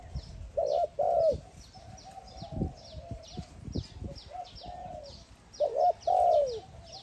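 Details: Spotted dove calling to another dove, giving loud, low, throaty coos in two paired bursts about five seconds apart, each with a falling tail. Many small high chirps from other birds run throughout, over faint background rustling.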